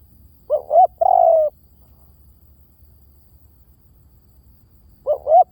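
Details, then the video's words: Lure call of a spotted dove: one complete phrase of two brief hooting notes and a drawn-out, gently falling coo, then the opening notes of the next phrase about four seconds later, on a quiet background. "เสียงนกเขาใหญ่!! เสียงต่อ!"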